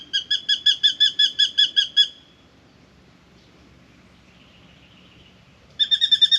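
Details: Spangled drongo objecting to a nearby pied currawong from a mango tree, Australia: a rapid series of about ten ringing, metallic notes, a long quiet pause, then another fast burst starting.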